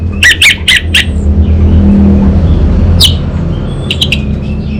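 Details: Orange-headed thrush kept as a song bird in Singaraja, North Bali, singing vigorously: several harsh, buzzy bursts in quick succession, a pause, then another sharp burst and a few scratchy notes over a loud, steady low hum.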